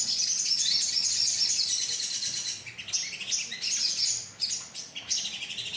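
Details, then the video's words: Sogon bird colony lure call: a steady wash of high twittering chirps from many birds, turning into choppy bursts of rising notes in the second half. "pancingan suara koloni sogon"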